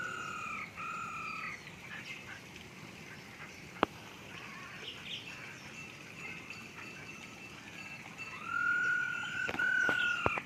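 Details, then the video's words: Masked laughingthrush singing inside an aviary: paired clear whistles open the phrase, then a quieter gap with a single click, and a loud drawn-out whistle with sharp taps at the end. "NYANYIAN BURUNG POKSAY HONGKONG DI DALAM AVIARY"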